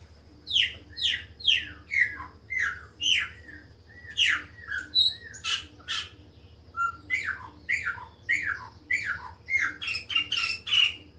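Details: Song of a Chopi blackbird, a series of strong downslurred whistled notes repeated roughly twice a second, interspersed with short rich warbles and a few brief higher accents, over a low constant hum.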